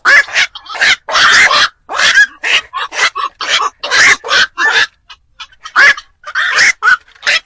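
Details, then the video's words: Night-trapping lure of black-crowned night herons, for Tết: a busy stream of gravelly, squawking quoks, some doubled, packed tightly with brief pauses. "tiếng chim vạc"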